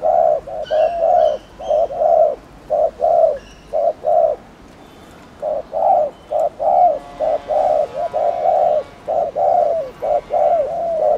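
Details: Spotted dove calling to excite other doves, repeated low hollow coos in clustered phrases with short gaps, while faint higher chirps of other small birds sound in the background.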